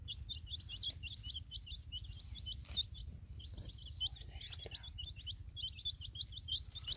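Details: Colored chicks in a field with a hen keep up dense runs of high, falling peeps, bursts separated by short quieter gaps, over a constant low rumble.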